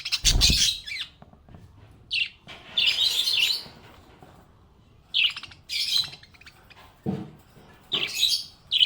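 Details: Budgerigar described as happy, chattering in repeated bursts of shrill, raspy chirps and short squawks roughly every second or two, with a low thump at the start and brief quiet pauses.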